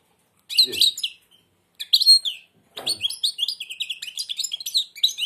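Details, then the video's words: Blind goldfinch kept indoors sings with beak almost closed: scattered opening phrases, then a sustained run of rapid, tinkling twitters and buzzy trills; a short human sound near the start. "تغريد_الحسون أعمى سبحان الله يغرد ومنقاره شبه مغلوق chardonneret"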